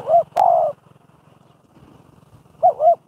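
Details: Spotted dove used as a decoy in trapping practice in Thailand, giving soft, low cooing: a short coo, then a longer drawn coo, a pause, and a quick paired coo at the end, over a faint low hum.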